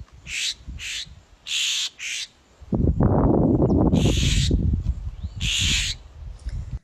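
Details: Three highly agitated Florida Scrub-Jays, tail-flicking and jumping, probably responding to playback with an observer nearby, give harsh, rasping scold calls in six short bursts, some in quick pairs, with loud low rumbling noise through the middle.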